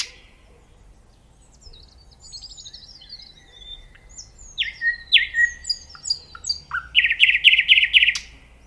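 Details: Nightingale singing: soft high whistles and chatter build into loud repeated notes, then a fast run of rich trilled pulses near the end, with a faint low rumble beneath.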